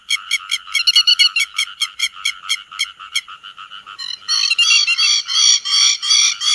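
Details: Grey-headed lapwing flock call, a netting lure for day and night: a fast, even run of sharp clipped notes for four seconds, then a denser, louder clamour of overlapping harsh cries.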